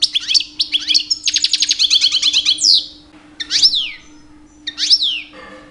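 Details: Mating-season song of a two-year-old European goldfinch singing to attract females: dense tinkling twitter with a fast buzzy roll, followed by two separate slurred, downward-sweeping whistled notes; low background hum.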